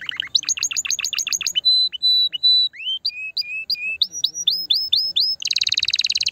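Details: Canary song for stimulating a female toward breeding: rapid doubled notes, a few long level whistles, then rising slurred notes repeated steadily, ending in a dense buzzy trill.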